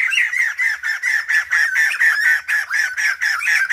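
Female black-throated laughingthrush giving a steady run of harsh, chattering mid-pitched notes, about two per second, with no other sounds.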